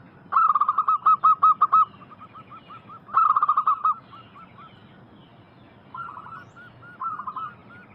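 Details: A lure recording for wild zebra doves carries local zebra dove song in two loud rolling bursts of rapid coos. Fainter, gurgled phrases follow after the second burst.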